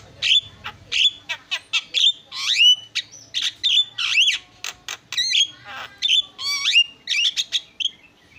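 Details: Javan myna, jalak kebo, in lively continuous song meant for tutoring caged songbirds: a rapid, varied jumble of scratchy chips, squeaks and upward-sweeping whistles, barely pausing.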